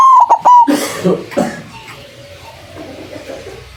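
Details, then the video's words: Lure call of a white zebra dove, described as having a big voice, used to attract other doves for trapping: three quick loud tonal notes open, followed by rustling noise and a faint low background. "Perkutut putih suara besar sangat ampuh buat pancingan, malas bunyi langsung nyaut"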